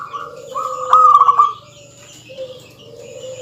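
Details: Local zebra dove singing a dense, rival-provoking song: one loud pulsed cooing phrase mid-clip, framed by softer steady tones and other faint bird notes in the background.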